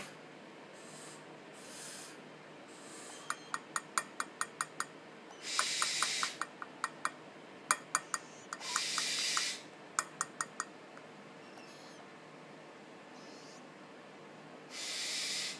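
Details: Young Spix's (tropical) screech owls, 15–20 days old, at an animal café in Kobe, give breathy, drawn-out hisses about a second long every few seconds between runs of sharp, rapid clicking snaps; Tropical screech owl.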